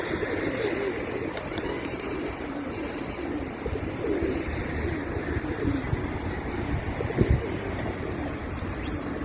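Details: Pigeons cooing as a group, with soft, low, murmuring coos rising and falling in waves. A few sharp clicks are heard, and a constant low hum runs underneath.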